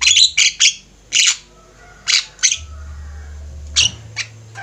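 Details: Javan myna group singing, a training master for cage birds: a few loud, grating squawks in short clusters separated by quiet gaps, fading to softer notes at the end.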